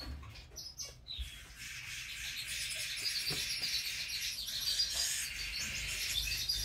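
A diamond firetail gives a few high, thin, rising whistles early on, then soft high chattering runs on under a steady hiss of busy background noise.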